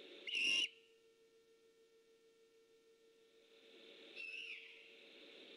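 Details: Great horned owl at night near a Decorah eagle nest, on alert, 3 October 2015: a loud raspy whistled call, then nearly four seconds later a fainter similar call, with a steady low hum and rising hiss between.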